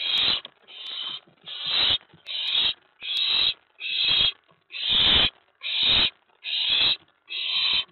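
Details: Night of 19 May 2017: an owlet in its box grows excited when an owl lands on the tray outside after a mouse was delivered, giving steady rasping hiss-like screeches, roughly ten evenly spaced bursts.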